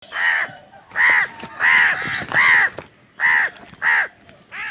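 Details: Hungry baby crow calling while being fed: a series of seven loud, hoarse, nasal caws, each about half a second long, repeated roughly every 0.7 seconds with short gaps.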